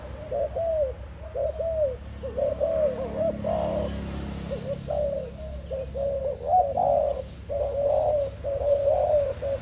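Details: Spotted dove cooing in a steady series of soft, mid-pitched rounded notes with brief gaps, low hum and faint voices behind.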